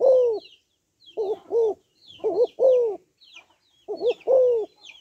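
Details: Female spotted dove calling to stimulate males, giving repeated low two-part coos, a wavering double note then a longer falling note, while other small birds chirp high and thin throughout.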